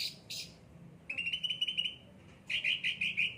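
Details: Cucak ranting, a pampered bird in full vigorous song, gives a brief burst of rasping notes, then a fast run of buzzy repeated chips followed by a louder series of squeaky notes.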